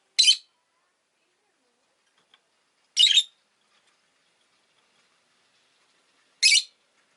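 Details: Two pet rosy-faced lovebirds huddled together at an entrance, giving three shrill, harsh, buzzy chirps spaced about three seconds apart, with silence between calls.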